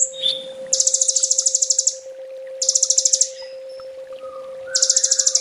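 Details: Sunbird master song for training birds: three rapid, very high buzzy trills, each lasting about a second, separated by pauses. A faint thin whistle and a constant low hum run beneath.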